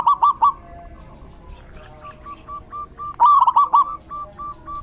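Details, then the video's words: Zebra doves singing in the rainy season, two loud rippling coo phrases about three seconds apart, separated by quieter, evenly spaced single coos. "Suara Terapi perkutut/Merbuk di Musim Hujan"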